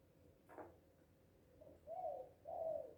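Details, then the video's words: A happy Spotted dove calling loudly: a short knock, then a quiet lead-in note followed by two full, hollow coos about half a second apart. "Suara Burung Tekukur ini Mantap Kali Bah"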